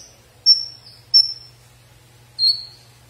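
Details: Konin kept by songbird hobbyists, giving high thin whistles, each a sharp onset then a long level or slightly falling note, three phrases spaced unevenly, over a steady low hum.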